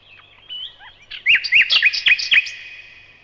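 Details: Nightingale singing: soft scattered chirps, then a burst of loud, sharp, rapidly repeated whistled notes around the middle, fading into quiet.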